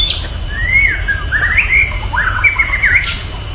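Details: Wild white-rumped shama, with other birds joining in: a flowing warbled phrase of rich whistles, rising and falling in quick slurred turns, over constant low background noise.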